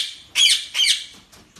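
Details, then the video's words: Budgerigar calls up close: two loud, grating squawks with a wavering buzzy tone, then soft faint chatter. "SONIDO DE PERIQUITOS"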